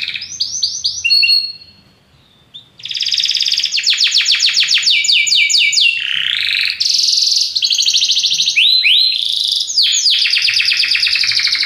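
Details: Belgian canary singing powerfully: fast buzzy trills and rapid repeated downward-sweeping notes, a brief pause, then long rolling high trills with sliding whistled phrases, very loud and clear.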